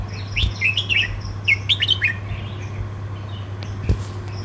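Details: Red-whiskered bulbul, southern Thai 'sai nap dok' song style: a rapid series of liquid, slurred whistles in the first half, then quieter, with a low hum and a soft knock near the end.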